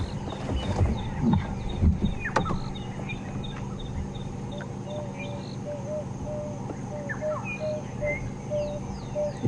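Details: Emerald-spotted wood dove giving a run of soft, low hooting coos in steady sequence on a sunrise safari drive just after 5 am on 26 November 2015, over a vehicle's engine rumble, brief speech and high chirps of other birds.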